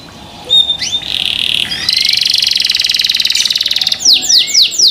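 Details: A canary sings, opening with a clear whistled note, then a long buzzy, finely pulsed trill lasting about two seconds, finishing with a series of quick descending high sweeps.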